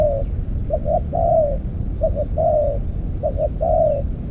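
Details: During decoy trapping with an earthen trap, a spotted dove repeats a low cooing phrase, two brief notes leading into a sustained descending coo, three times, over continuous deep rumbling noise.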